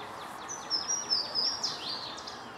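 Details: Louisiana waterthrush at Lake Conestee, Greenville, SC, USA, 10 April 2016, gives a thin, high, sustained note then quick downslurred notes, over faint background chirps.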